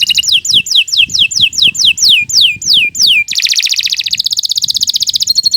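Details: Canary singing a long, vigorous song used for tutoring young birds: a run of about ten loud, descending whistled sweeps, then a fast, buzzy rolling trill that shifts to a steadier trill.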